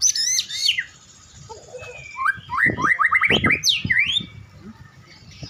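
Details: White-rumped shama kept for singing contests, warming up before competition: high descending whistles, a burst of quick repeated rising notes near the middle, then loud swooping whistles, with some knocks in the background.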